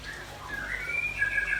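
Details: Brief, vigorous song from red-billed nuthatch and white-rumped shama, known locally as rambatan paruh merah and murai batu: clear whistled notes rising in pitch, then held and wavering slightly.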